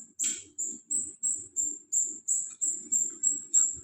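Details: Golden-bellied gerygone (rio rio) in teler konslet style, giving a rapid run of thin, very high drawn-out notes repeated about three times a second, with a faint low murmur underneath.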